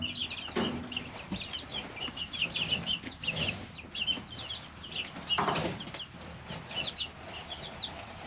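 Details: Three-week-old chicks in a brooder peep in quick, bright, repeated notes, while occasional louder scuffles and taps from movement in the litter break through.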